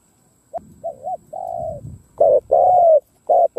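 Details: Decoy spotted dove cooing to attract wild doves: soft low coos building into loud, full, falling drawn-out coos with short clipped notes after, some low rustling underneath.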